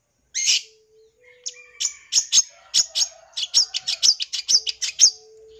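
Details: Full-isian song of a long-tailed shrike, meant to excite and draw in young birds. A sharp opening note and a pause lead into quickening high chirps and trills. A faint low steady tone hums in the background.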